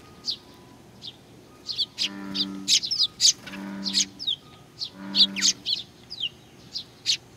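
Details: Sparrows coming to be fed at Tenmangu shrine, Nakanoshima, 21 June 2020; dense overlapping high chirps from several birds, with three low tonal hums in the background.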